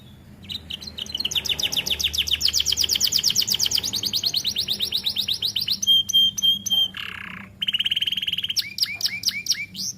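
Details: A young canary in an aviary begins its song: rising rolling trills, a level pure whistle, a lower harsh note, then sharp downward sweeps.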